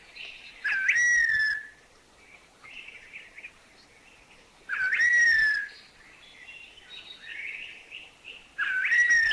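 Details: Streaked wren-babbler recorded in Thailand giving its sad call: loud, clear whistled notes that slur downward, repeated about every four seconds, with softer chattering notes between them.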